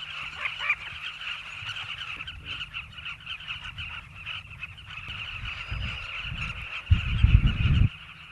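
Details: Nesting Southern carmine bee-eaters crowding a river bank in South Luangwa National Park, Zambia: constant overlapping scratchy calls from many birds, broken near the end by loud low thumps and rumbling.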